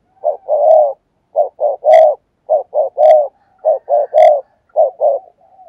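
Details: Spotted dove decoy recording used to lure wild doves, fast urgent cooing: groups of two or three short hollow coos, the last longest, repeated about every second, with sharp clicks between phrases.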